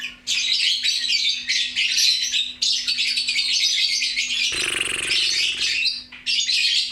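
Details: Lovebird chattering loudly in harsh, high, rapid twittering bursts, interrupted near the end by a short, broad rustling or fluttering noise before the chatter resumes.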